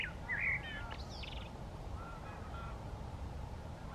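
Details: White wagtail foraging on a lakeshore at Eijsder Beemden, Limburg, Netherlands, 4 April 2023, giving a quick burst of sharp, high chirping notes in the first second and a half, then silence over a steady low rumble of wind or traffic.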